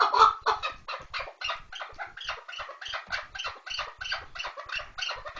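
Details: Chukar partridge rattling out rapid, harsh chattering notes, about four per second, loud at first then slightly softer and uneven.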